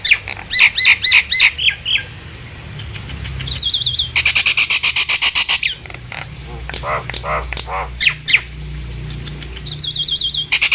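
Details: A Nias hill myna sings to draw other hill mynas into song, giving fast runs of loud clipped notes, about four a second, broken by a harsh rasping burst and high whistled double notes, over low humming.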